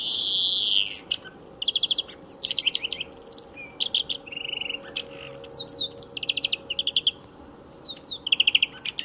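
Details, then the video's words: Song of a European greenfinch by a car racing track, opening with a harsh nasal wheeze followed by rapid trilled twitters and chirping phrases, with a faint low hum of background noise. "VERDIER d'EUROPE - Chant remplacé pour cause de grand bruit"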